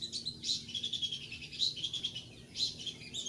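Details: Thick-billed white-eye, a bird, sings a loud, steady song used as a lure to get newly caught white-eyes to start singing; high, thin chirps and twitters come in short bursts about once a second.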